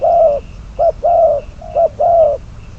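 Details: Trapping decoy spotted dove, bird 22, uttering a short series of hollow coos, long notes interleaved with quick short ones, clear and close.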